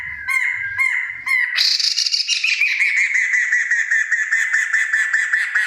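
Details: Rare Kriko Gayo from Central Aceh: three short clipped notes, then a sudden long, fast, buzzy trill with rich overtones that stays level and runs on steadily without pause.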